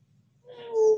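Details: An African grey parrot gives a brief speech-like utterance, a steady, slightly falling voiced tone lasting about half a second after a quiet start.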